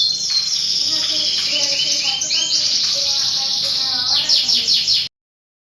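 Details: Canary lure song used to prompt other canaries to sing steadily: a continuous, fast, high rolling trill with bright repeated chirps and rising sweeps, loud throughout before stopping abruptly.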